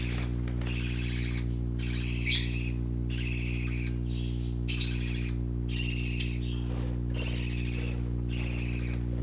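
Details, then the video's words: Playing parakeet chicks chatter in longer bursts of high, scratchy, warbling notes separated by brief silences, a few louder squeaks standing out, over a steady low background drone. "Color ful Parakeet Babies playing - Original sounds"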